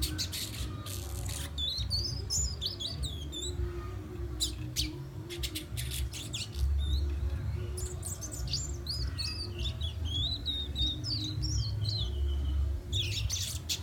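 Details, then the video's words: Young fire red from Guyana whistling: repeated high, sharply bending whistled phrases in several bursts, with short broadband clicks between them, over a constant deep background hum. "Young fire red whistling."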